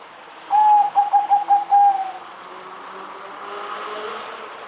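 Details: Zebra dove (merbok), a kept songbird, singing a quick run of about six short, pulsed cooing notes at a steady mid pitch over roughly one and a half seconds, the last note slightly drawn out and falling, followed by faint background hiss.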